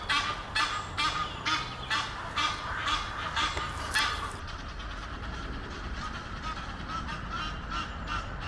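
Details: Egyptian geese, a courting pair in a tree near Henley upon Thames, utter a quick run of harsh honks about two a second, clearest early on, then quieter calls continue.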